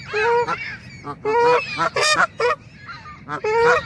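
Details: Canada geese grazing on grass and apparently annoyed at being photographed; a run of loud nasal, harmonic honks, some with rising tones, given in irregular bursts by several birds.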